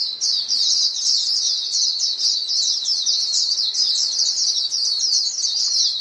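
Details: A steady wash of high, thin chirps as many white-eyes in a flock call to each other, the notes blurring into one continuous twitter.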